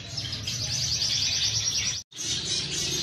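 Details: Canary singing a rapid, high, rolling trill of repeated short notes with a brief downward slur, cut by a short silence before the trill resumes, over low background noise.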